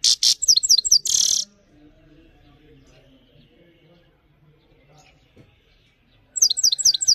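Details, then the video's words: High, quick twittering phrases of a Himalayan goldfinch at the start and end, with a buzzy burst early on and a long near-silent stretch between. "The best himalayan gold finch clean voice singing"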